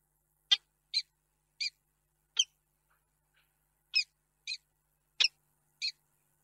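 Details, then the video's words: A peregrine falcon in Reda, Poland, on 2 March 2022 gives a longing, wailing series of eight short, sharp, high-pitched calls at uneven half-second to one-second intervals, with a brief pause midway; the expected female had not arrived. "sokół wędrowny -Tęskne zawodzenie"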